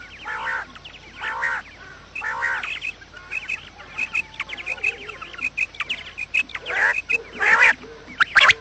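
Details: Quail calls used to lure quails for trapping: harsh, harmonic bursts repeated roughly every second at first, then a dense background of many short, overlapping chirps and twitters from several birds, ending in louder rasping notes.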